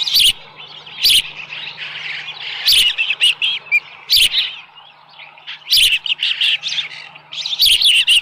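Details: Osprey on a ranch nest holding a small live fish, July 2018 morning. High chirping phrases repeat between loud knocking thumps roughly every one to one and a half seconds, with a faint low hum.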